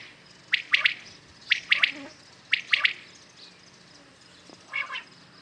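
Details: Common quail morning call recorded for hunting: a quick three-note phrase, sharp and high, repeated three times at one-second intervals, then a softer, distant burst.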